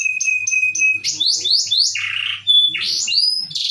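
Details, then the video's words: Canary from Ciamis singing loudly: a steady whistled tone, then a run of rising swept notes, a buzzy lower phrase, and bright, piercing, high whistles, with a faint low hum beneath. "Kompilasi suara burung kenari"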